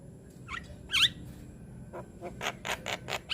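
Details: A young Javan myna, kept as a song bird, gives a run of harsh, squeaky whistles and chattering notes, some rising sharply, in quick bursts about every quarter second. It is used as a master recording for other mynas to copy.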